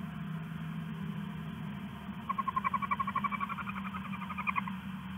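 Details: Owl at night, 11:46 PM on August 20, 2015, a male leaving a rat for its mate. Steady low hum at first, then about twenty quick, evenly spaced chittering pulses over two and a half seconds.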